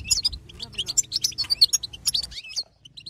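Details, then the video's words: Goldfinch 'batbata' twittering played to excite other goldfinches: quick, bright chirps and tinkles in a dense rush, closing with one rising slurred note and a few scattered soft chirps. "بتبتات حسون جديده للتهيج نار"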